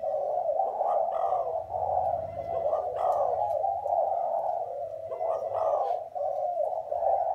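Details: Dense overlapping coos from spotted doves of Thai and Vietnamese lines form a thick, buzzy, low band. It pulses gently in loudness, with occasional sharp clicks and a low rumble beneath.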